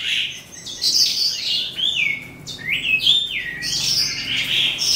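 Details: Song of an eastern calandra lark beginning at dusk, a fast jumble of scratchy chirps and clear down-slurred whistles, some phrases gliding and repeating, all held at a high pitch.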